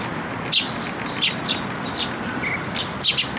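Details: Begging Eurasian tree sparrow fledglings at a feeding post, Tenmangu shrine, 28 May 2022; loud clustered chirps with thin high whistled notes between them, over steady hum.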